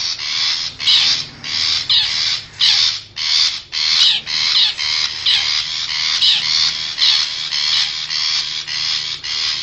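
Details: Long-tailed shrike from the forest, wild, played as a lure for wild birds: a steady run of short scratchy, buzzy bursts, nearly two per second, loud and hoarse throughout.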